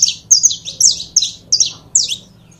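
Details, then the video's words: Saffron finch song of clipped, high chirps that slide sharply downward, delivered in quick pairs and singles about every third of a second; faint low hum in the background. "CANARIO DA TERRA"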